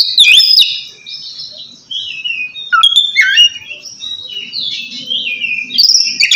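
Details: Oriental magpie-robin, ngeplong style, calling out to a rival. Drawn-out clear whistles slide up and down, with a sharp downward note and several crisp chips. There are short quiet gaps between phrases.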